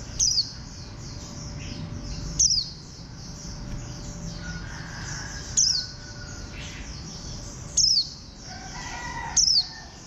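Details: Warbling white-eye, bantam-shaped green bird: five loud, thin, falling notes spread across ten seconds at irregular gaps, set against constant high twittering from other birds and occasional lower harsh chatter.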